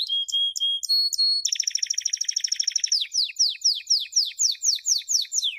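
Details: Singing canary used to teach young birds: short clipped notes and a held whistle, then a dense buzzy trill, followed by a series of loud downward-sweeping whistled notes repeated about twice a second.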